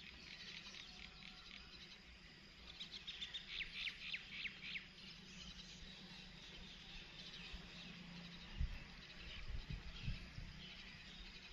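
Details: Myna chick begging as a parent feeds it: rapid bursts of thin, high chirping, most intense for about two seconds mid-clip, over a steady low rumble and a dull thump.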